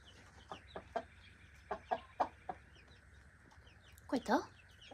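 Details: Free-range backyard chickens and chicks at breakfast time, eating from a keeper's hand: scattered short clucks and peeps, then a louder burst of harsher overlapping calls near the end, with soft human laughter nearby.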